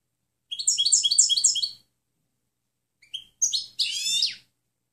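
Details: European goldfinch clean training song: a rapid tinkling phrase of repeated high slurred notes for over a second, a pause, then scattered chirps ending in a harsh buzzy twitter.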